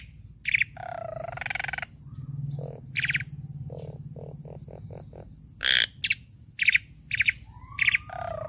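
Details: Tame Asian pied starling singing a full song packed with varied phrases: sharp high clicks, a warbled falling-and-rising phrase, a run of short evenly spaced low notes, then bursts of harsh chatter, over a steady low hum.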